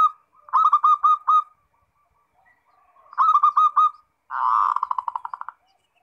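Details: Captive zebra dove (perkutut), used as a lure to get other doves singing, coos in two quick runs of five soft, bubbling mid-pitched notes, then a longer rolling trill of rapid staccato coos. Otherwise quiet.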